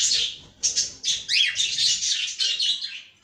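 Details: Caged cockatiel giving a fast run of harsh, high chirps and screechy notes that blur together, with brief pauses near half a second and two seconds.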